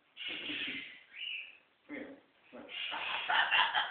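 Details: Scarlet macaw (Ara macao), a male pet named Tango, during playtime gives harsh, raspy squawks and grating chatter in several bursts over four seconds, loudest and busiest near the end.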